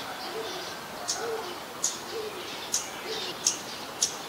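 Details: Scarlet-backed flowerpecker, a very common resident, in Ubon Ratchathani, Thailand, on 15 March 2021, recorded with a Nikon P1000: sharp, very high ticks repeated about every second, with soft low cooing from another bird behind.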